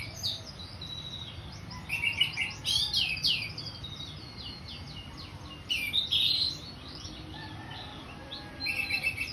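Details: Ngeplong song from an orange-headed thrush: rapid, high, mixed whistles and slurred chirps in three energetic bursts with quiet gaps between, a low hum underneath.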